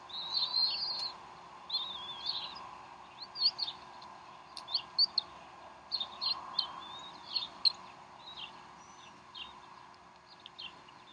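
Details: Bald eagles at a wild nest in Decorah on 12 April 2012, 3:10 pm Central Time, as the mother feeds her young a snack; thin high chirps and slurred whistled notes come in irregular bursts over a steady low hum.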